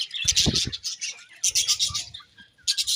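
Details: Chirping budgerigars give short bursts of scratchy, high warbling chatter separated by brief pauses, over soft low knocking sounds.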